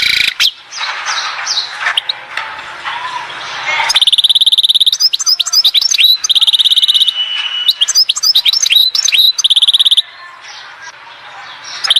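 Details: European goldfinch singing at Oued Zhour, Skikda: after about four seconds of broad rushing noise, fast twittering notes give way to long bursts of rapid, evenly repeated high chips, broken by short liquid slurred phrases.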